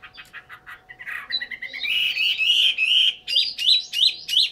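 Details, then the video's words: Chinese hwamei song: a run of short rapid notes, then loud, slurred whistled phrases around the midrange, ending in a series of repeated bright, rising whistles at roughly three per second. "chim họa mi"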